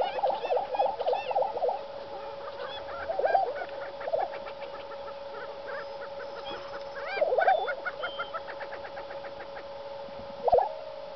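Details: Two displaying Lesser prairie chickens on the High Plains give a low, steady hum broken by bubbling, gobbling bursts. The warbling swells come at uneven intervals, and faint chattering from other birds sounds behind.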